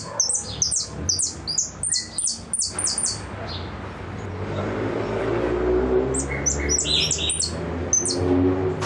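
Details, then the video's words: Repique-style goldfinch song: a rapid string of high, downward-sweeping notes for three seconds, a pause under rumbling background noise, then further short bright bursts. "Blanco de repique"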